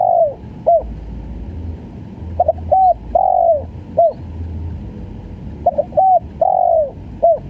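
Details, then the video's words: Gagap-style calling of a spotted dove. Clipped, hiccuping coos alternate with longer falling coos in repeated phrases roughly every three seconds, with a low rumbling background. "SUARA TEKUKUR||GAGAP FUL"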